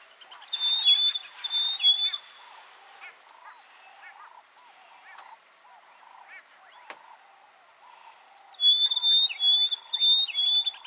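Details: Rosy-patched bushshrike calling and duetting in Buffalo Springs National Park, Samburu, Kenya: bursts of loud, clear whistled notes near the start and again after eight seconds, with softer repeated chirps from other birds between them.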